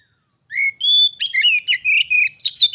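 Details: Captive kacer, a white-rumped shama, answering a wild one that came to it, their song contest escalating to a fight: a long pure whistle, then a rapid string of clipped, varied whistled notes.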